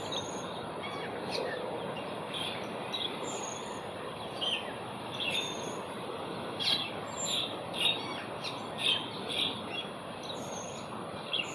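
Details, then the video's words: Asian glossy starlings in Singapore on 4 September 2021 give sharp, high, metallic chirps and thin whistles in scattered bursts every second or so, over a steady hiss of background noise. "亚洲辉椋鸟 叫声 Asian Glossy Starling call"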